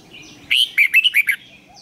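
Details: Red-whiskered bulbul decoy bird singing in competition style with a long twisted voice, used to train other bulbuls to sing: one bright burst of six quick warbled notes in under a second, faint background twitter.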